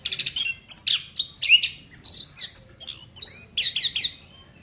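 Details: Chestnut-capped thrush singing vigorously: a rapid, high, varied run of sharp whistled and chattering phrases, closely packed with brief gaps, bright and continuous throughout with little background noise.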